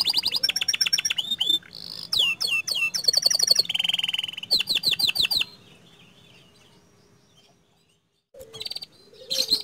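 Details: Rolling, long-burst song of an actively singing panda canary: dense chattering trills and swooping whistles for about five seconds, then a quiet pause before the song resumes briefly at the end.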